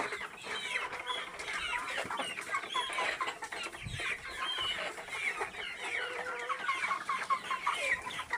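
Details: A group of local chickens keeps up steady, overlapping clucks and brief peeping chirps, many birds calling together without pause.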